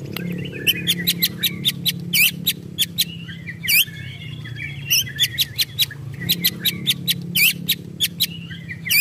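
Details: Emotional, agitated white-rumped shama giving ketrekan: sharp dry ticks and clicks repeated irregularly in rapid clusters, with a soft warbling undertone and a constant low hum.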